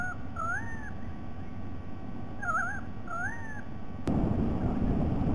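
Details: White-bellied sea eagle, recording dated 07 12 2020: an arched honk, then a pair of wavering nasal notes, followed by a sharp knock and louder broadband rumbling for the last second.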